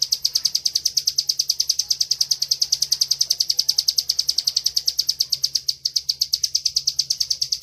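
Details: Bar-winged prinia in lively, nonstop 'ngebren' song used as master training audio for songbirds: a rapid, even string of high, sharp chirps sustained for the whole stretch, with a faint low hum underneath.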